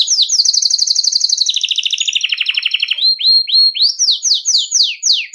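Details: Belgian canary singing a nonstop 'campainha' (bell) song, used to warm up canaries and train young birds: a fast high trill, then a lower rapid trill, then rising-and-falling swooping notes about three per second.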